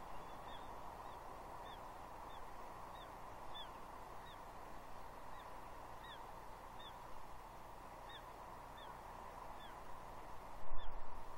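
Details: Juvenile female bald eagle on a gnarly tree at Two Harbors, Catalina Island, 30 June 2021, mantling and begging at her father for fish: thin, high, downslurred squeals repeated about every half second over steady broadband hiss, brief noise burst near the end.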